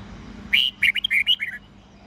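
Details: Dawn song of a red-whiskered bulbul in the 'old forest voice' style with 8 to 10 notes, for training juvenile white-cheeked birds: one brisk phrase of around eight ringing whistled notes, varied in pitch, over one second, faint low hum beneath.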